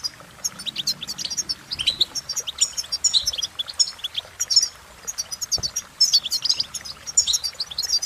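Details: Cheerful goldfinch melody of rapid, sharp twitters and buzzy trill notes, delivered in clustered phrases with short gaps; a soft low rumble early on.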